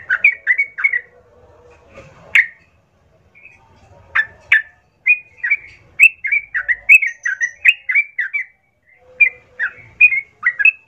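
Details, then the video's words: Sooty-headed bulbul lure song intended to make other bulbuls fight; fluty, rolling phrases of quick descending whistles broken by short pauses and an occasional sharp higher note. "Pasti Nyaut ikut Tarung trucukan bermantal Berani mendengar pancingan trucukan gacor plong ini"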